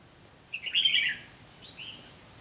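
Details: Red-whiskered bulbul decoy in a trap setup, delivering one loud, quick, fluty warbled phrase followed by a softer trailing whistle, against a quiet background.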